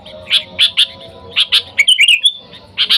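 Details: Calling sooty-headed bulbul used to lure wild bulbuls. A few quick bright notes, then a short liquid warbled phrase, followed by two more chirps.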